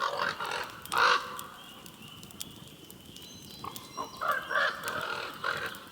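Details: A common raven sitting on its perch near an off-grid cabin in the Central Ontario wilderness, mimicking sounds as if in conversation: hoarse, throaty, talking-like notes, some short, some drawn out, in uneven bursts over a quiet outdoor background.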